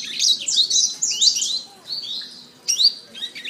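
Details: Canary training song: bursts of rapid trilled warbling separated by short quieter gaps, including a falling whistled slur and a sharp renewed burst near the end.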